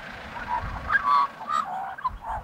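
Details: Australian magpie close by, making husky, honking, gargled notes mixed with brief fluted tones, several quick phrases in under three seconds over a low rumble.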